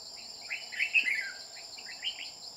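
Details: Red-whiskered bulbul with a bell-like voice, recorded while being trapped with a decoy bird: a bright, rapid whistled phrase with a falling ending, then a few short chirps, over steady high insect drone.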